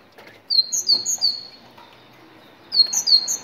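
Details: A Moroccan tit sings to prompt other tits to sing: two short phrases of three or four clear, high whistled notes, separated by about two seconds of quiet.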